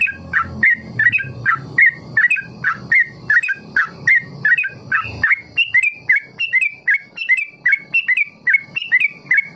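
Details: Sooty-headed bulbul (trucukan) ropel song used as a lure to help other trucuk learn long ropel: quick, sliding whistled notes near mid-high pitch, about 52 per minute, each with a clicky broadband edge.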